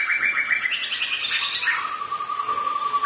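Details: Black-throated laughingthrushes, two birds singing against each other while dancing. A chattering, slightly buzzy burst of notes gives way to a long, level, pure whistle.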